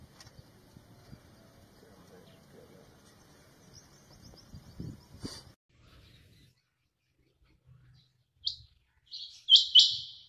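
A quail gives a few sharp, high, clipped notes in quick succession near the end, after several seconds of low rumbling background noise.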